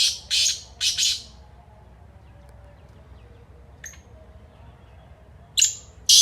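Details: Kala teetar, or black francolin, calling: the rasping tail of one phrase opens, then a lone faint high note, and a new phrase of a thin lead note and a harsh burst starts at the close.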